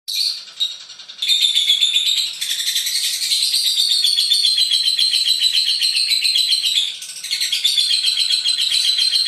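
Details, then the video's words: Lovebird giving a long unbroken 'ngekek panjang' chatter: dense, rapid, high buzzy trilling that runs on for seconds with only brief dips in loudness, no other sounds. "Love bird ngekek panjang"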